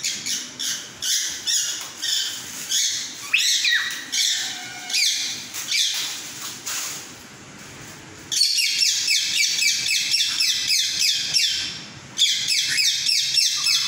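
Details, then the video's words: Pet cockatiel singing its mating call: rapid, scratchy high chirps and squawks in quick bursts, pausing briefly near eight and twelve seconds before chattering resumes. "Cocktail singing with matting call sign"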